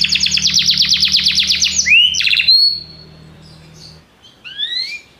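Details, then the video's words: Canaries singing after hearing music: a rapid trill of repeated chirps, a couple of rising whistles, then quieter pauses and a final rising whistled note. "muitos canários cantam junto depois de ouvir essa música"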